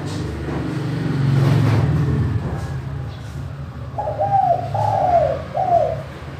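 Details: Clear-voiced spotted dove cooing in manggung style, used to lure other doves into calling; a low rumble fills the first half, then one three-note phrase of mellow, falling coos follows.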